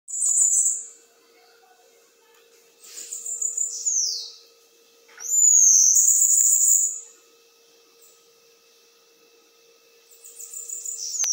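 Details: Bananaquit singing in the metralhadora (machine-gun) song style: three bursts of very high, thin, buzzy trills with quick downward-sweeping notes, separated by short pauses, over a faint steady low hum.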